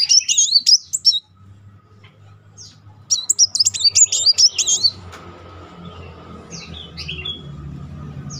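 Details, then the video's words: Van Hasselt's sunbird used as a singing lure: two short bursts of very high, rapidly wavering notes, followed by scattered faint chirps over a low background hum. "Kolibri Wulung nembak beruntun -- pancingan Kolibri bahan maupun macet Naik emosi."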